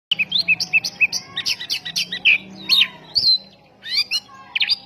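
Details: Oriental magpie-robin in full song, used as a lure to provoke other magpie-robins: fast run of varied whistled and chattering notes, many sharply rising and falling, in quick bursts, over a faint steady low hum.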